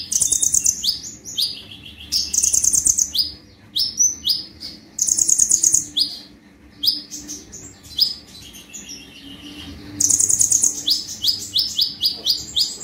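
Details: Energetic 'tembakan' singing from an olive-backed sunbird (kolibri ninja) on a master recording: recurring bursts of very high buzzy trills linked by quick runs of rising sweeps, repeated across thirteen seconds.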